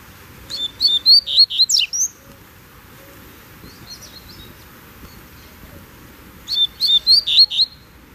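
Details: Double-collared seedeater out of its cage on a walk with its keeper, singing two bright, rapid phrases of high whistled and twittering notes, each about a second and a half long, with softer notes between them over a quiet background.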